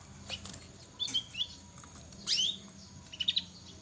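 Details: Young canary learning to sing: short, high chirps and quick twittering notes in small bursts, with a pause between each group, over a steady low hum and faint rustling.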